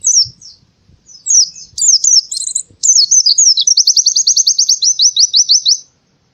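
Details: Indonesian white-eye singing canary-style bursts meant to stimulate lazy birds into song: short high twittering phrases separated by pauses, then a long accelerating series of sharp repeated notes ending abruptly in silence.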